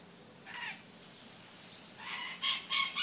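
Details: Morning calls of maritaca parakeets: one faint harsh squawk early, then a cluster of three louder grating squawks near the end over a soft hiss.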